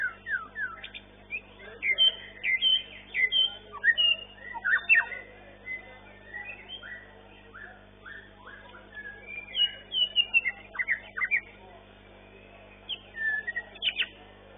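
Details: White-rumped shama singing in a modern competition arena, long-tailed class champion; a long run of loud, varied whistles, slurs and sharp chips in irregular bursts, with quieter gaps and faint background noise.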